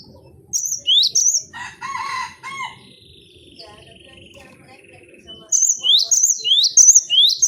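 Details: Cinereous tit, called gelatik batu, in a 'bongkar isian' song for cage-bird training. Bright rising-trill phrases frame a middle stretch of harsher, stacked calls and a long drawn whistle, before fast repeated upsweeps return.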